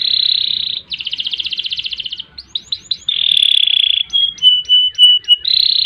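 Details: Canary in full gacor song of ngerek, ngerol and nembak phrases: a smooth high trill, a pulsed rattling roll, a few quick swept notes, another long trill, then clipped repeated whistles.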